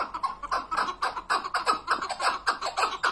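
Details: Chukar partridge calling with loud, hoarse chuck notes repeated close to twice a second in a steady rhythmic series.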